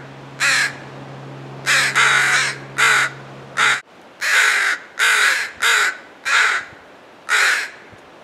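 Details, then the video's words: Crows protecting a fledgling give loud, harsh caws in a series of about nine calls, some doubled, with a steady low hum running through the first half. "Crows protect fledgling"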